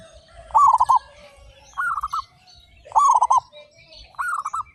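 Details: Local zebra doves singing eagerly with big voices, from a group of 35: four clear rippling coo phrases, each a quick run of stuttered notes, spaced about 1.2 seconds apart, two alternating pitches.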